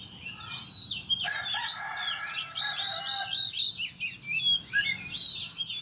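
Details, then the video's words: Oriental magpie-robin singing a song filled with cricket mimicry: quiet start, then loud, varied high phrases of repeated buzzy, warbling notes in quick bursts, a harsher lower trill underneath mid-song. "Kacer mewah full isian jangkrik"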